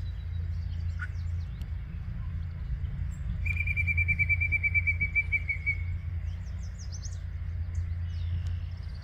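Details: Yellow-breasted chat song recorded May 23, 2023, 10:12 AM, in Osborn Metropark, Huron, Ohio: a long, even, slightly wavering whistled trill lasting about two and a half seconds, with faint high chips and steady low background hum.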